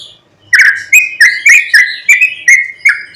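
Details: White-rumped shama singing in the morning, a lure song meant to rouse other shamas into singing, full of mimicked phrases: a burst of about eight loud, sharp whistled notes near one pitch, repeated several times a second.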